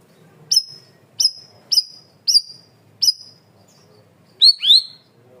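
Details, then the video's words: Cream-vented bulbul singing loud and clear for song training: five crisp high chirps repeated roughly every half second, followed by two quick upslurred whistles. "MASTERAN BURUNG CUCAK RAWIS/BAYEMAN GACOR SUARA KERAS DAN JERNIH"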